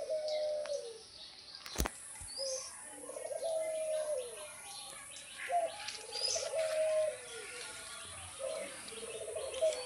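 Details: Lakha pigeons bathing in hot weather: soft, low droning coos that rise and fall, repeated irregularly about every few seconds, with a sharp click near two seconds and a steady high electronic whine.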